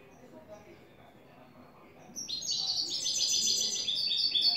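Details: European goldfinch, a new bird singing in the clean-song style called "el tres vueltas"; after two quiet seconds, a dense, bright twittering trill of rapid high notes bursts in and runs on steadily to the end.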